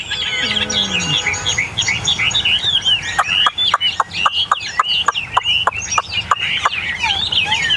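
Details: Captive Chinese hwamei among eight tame newcomers, singing lively warbled loops, then a series of sharp snapping clicks roughly every third of a second beneath the continuing song.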